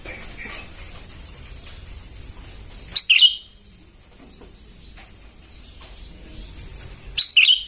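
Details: Sooty-headed bulbul chicks calling, recorded as a lure: two brief bursts of high, sharp chirps about four seconds apart, each a quick double note, over a faint steady high whine and low background hiss.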